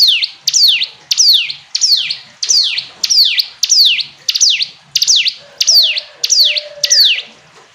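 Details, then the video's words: Hill prinia song of thirteen or so loud, high notes, each a steep downward sweep with a short upturn, repeated at a steady pace of nearly two per second; a faint low hum underneath. "Ciblek gunung istimewa, hitungan detik dijamin langsung bunyi ‼️ jernih"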